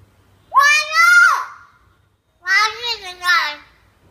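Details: Hill myna learning to talk: two speech-like mimicked phrases, a drawn-out rising and falling utterance, then after a pause a shorter three-part phrase, with a faint low hum in a quiet room.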